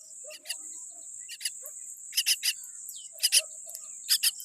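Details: Tiny baby common myna born with a weak beak: harsh, raspy chick calls in short paired or tripled bursts, scattered irregularly, some softer, over a constant high thin whine.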